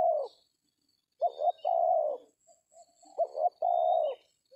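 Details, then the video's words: Tekukur, the spotted dove, cooing at a decoy-trapping spot in an oil palm plantation; two full phrases of a quick two-note lead-in and a prolonged coo, about two seconds apart, with faint high whistles. "DAPET TARGET TEKUKUR TERBAIK, SUARA KOMPLIT DAN JAGO TARUNG"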